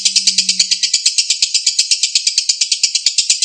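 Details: Ngekek chatter from a lovebird, a clean sound used as a lure to make other lovebirds respond. Quick, raspy repeated pulses are heard, with a brief low hum at the start.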